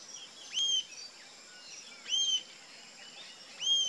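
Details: Three sharp, high, arched notes from a rufous-tailed jacamar, repeated roughly every one and a half seconds, with soft chirps of other birds faintly between them.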